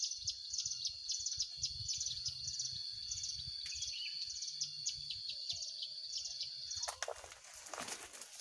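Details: A hill prinia caught during a bird-trapping outing gives quick bursts of thin, high chirping notes, about four a second, before a loud clattering rustle breaks in near the end.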